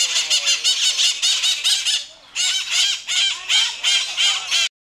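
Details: A pair of white-eyed parakeets (possibly not genuine) squabbling at the Iguaçu bird park give harsh, raspy screeches in rapid overlapping bursts, about three a second, with a brief pause midway.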